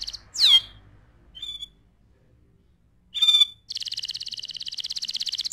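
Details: Canary singing as a master recording for teaching other birds: a steep descending whistled sweep, a brief soft note, a sharp buzzy burst, then a long rapid high trill.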